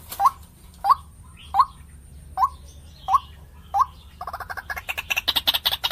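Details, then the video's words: White-breasted waterhen lure call: six evenly spaced, rising hooked notes, then a rapid burst of higher pulsed chattering notes at the end. "Suara pikat ruak-ruak terlengkap 2024,The most complete alluring sound of birds ruak-ruak 2024"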